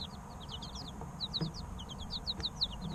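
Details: Baby chickens three weeks old peeping steadily, short high notes dropping in pitch, several birds overlapping in an even stream above a faint low hum.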